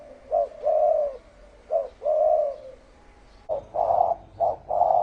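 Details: Spotted dove giving 'thổ ồm' and 'thổ đồng' coos, each a brief soft note and then a drawn-out mellow coo, repeated at a brisk, fast pace.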